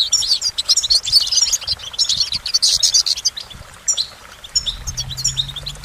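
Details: Goldfinch song: rapid, high twittering bursts of tinkling notes and short trills, with brief pauses between phrases and a faint low hum entering near the end.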